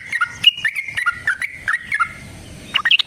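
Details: Yellow-vented bulbul giving prolific fighting song with long rapid trills, a lure for caged birds to answer: a run of liquid, bouncing notes, a short pause, then a burst of higher chatter.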